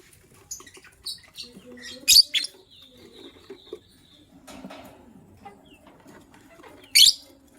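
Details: Morning sounds of lovebirds, a gray bird ready to lay eggs and a yellow-green bird: thin high tweets, a loud grating double screech, then a thin drawn-out whistle and a final sharp shriek.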